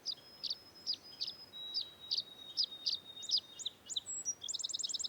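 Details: Tree swallows newly arrived in early May at nest boxes by meadows at the start of the nesting season give high, liquid chirps and twitters, with short thin whistles between, ending in a quick rippling series of notes.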